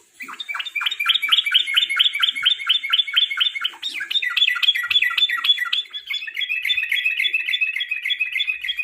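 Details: Yellow-vented bulbul singing a lure song in the late afternoon, used as a tutor for competition songbirds; rapid chattering run of repeated bubbly notes, steady at first, then shifting to a higher, faster rattling series.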